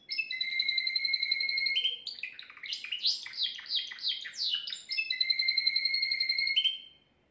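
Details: Timbrado canary kept at home, recorded yesterday, singing a song used to train young canaries: a steady rolling trill, then a burst of quick varied chirping notes, then a return to the even, sustained trill before it stops.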